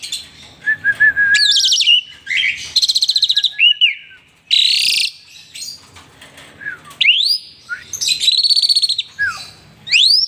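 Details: Asian pied starling singing energetically, said to be bobbing and dancing while in full song; loud varied phrases of harsh buzzy bursts, rattling trills, clear rising and falling whistles, and sharp upward-sweeping notes, delivered in rapid sequences with brief pauses.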